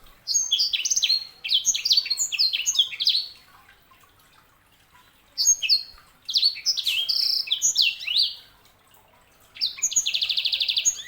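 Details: Sanger canary hybrid pouring out chattering, high whistled notes in several bursts separated by short silences, ending in a rapid pulsing trill.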